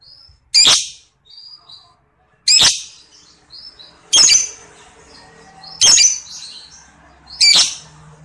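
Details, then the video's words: Piercing, raspy lovebird squawks spaced about one and a half seconds apart, five calls with soft chatter between them, recorded clearly as a lure for other birds' long ngekek song. "Pancingan - Love Bird Ngekek Ngetik Panjang"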